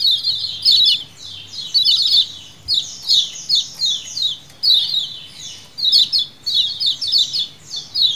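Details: Calling colony of lemon-bellied white-eyes used as a lure, wild-style: dense, overlapping high twittering chirps in quick bursts, several birds calling together in a steady series, with a low background hum.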